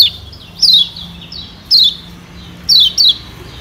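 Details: Lombok yellow white-eye (kecial kuning) song used as a lure to stimulate wild birds: high, thin whistled notes sliding downward in short bursts, four loud phrases with fainter echoing notes between, over a low steady hum.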